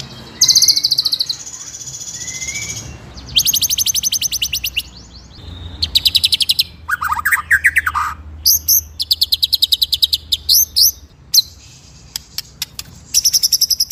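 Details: Murai, or white-rumped shama, singing a varied master song of the ngeroll nembak style meant for training other birds: bursts of rapid high rattling trills alternate with clear whistles, lower warbled phrases and sharp chips, separated by brief pauses.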